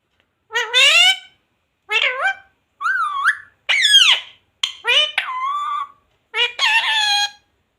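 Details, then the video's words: Talking pet parrot indoors, words like mummy and jay shree ram: eight short harmonic utterances, sliding and wavering in pitch, spaced roughly a second apart in a quiet room. "parrot talking jay shree ram"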